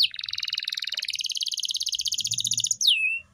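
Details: Canary singing as a master recording for training a pet bird: a long, even trill of quick repeated notes, ending in a sharp falling whistle and a sustained tone.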